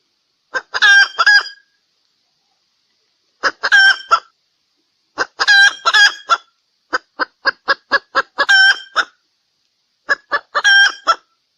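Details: Sumatran red junglefowl hen giving a lure call: bursts of harsh, clucking notes in short runs, pausing a second or two between bursts; otherwise quiet.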